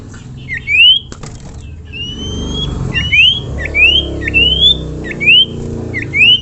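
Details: Common iora call used to lure other ioras into singing: short sharply rising whistled notes repeated about every half second to second, over a steady low background hum.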